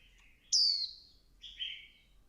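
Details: A female Swinhoe's white-eye rousing the male: a soft low warble, then one piercing downslurred note, followed by a quieter drawn-out lower whistle.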